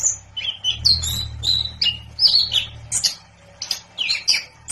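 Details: Singing orange-headed thrush (anis kembang) delivers clear whistles, downslurred notes and scratchy chips in quick succession, with a soft low rumble in the background.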